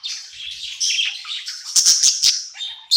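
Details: Budgie in a new home, happy at night, gives a steady high scratchy warble broken by a quick series of sharp clicking chirps and a final bright whistle.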